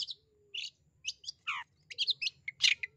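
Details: Long-tailed shrike calling to coax a shy or lazy shrike into singing: separate harsh, buzzy bursts and scratchy chirps spaced across three seconds, one falling slurred note midway, a low steady hum underneath.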